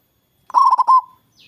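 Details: Local zebra dove with a big voice, its song used to lure rival doves into calling back: a quick run of staccato mid-pitched coos flowing into a longer rolling note that trails off, followed by a faint high chirp.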